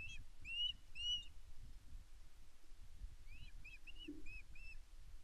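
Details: At a Loch Arkaig nest on 5 May 2024, a female osprey begs her mate for fish with a few sharp whistled notes, a pause, then five rising-falling chirps roughly evenly spaced, with steady wind rumble beneath.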